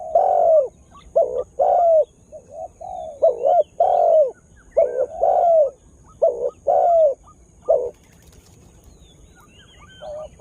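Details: Lure spotted dove with a distinctive calling power that stirs up wild birds, newly coming into full voice; deep mellow coos in paired and tripled bursts about every second, pausing near the end, faint high twitters and a constant high hum.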